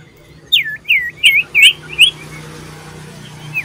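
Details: Common iora calling loudly while seeking a rival, recorded 27 December 2022: five clear slurred whistles, each sweeping down then up around the middle register, spaced about a third of a second apart, then quiet background.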